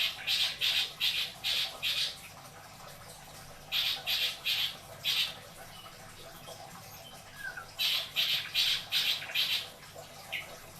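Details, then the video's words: Long-tailed shrike kept as a caged pet in Indramayu, Indonesia, utters bursts of rapid, harsh chattering notes in groups of four to six, separated by pauses of a few seconds. "Burung cendet isian dor... beledos"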